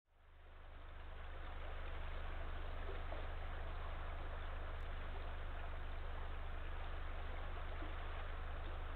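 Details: Steady broadband hiss and low hum from a nest camera microphone in the evening, rising at the start, with no animal calls.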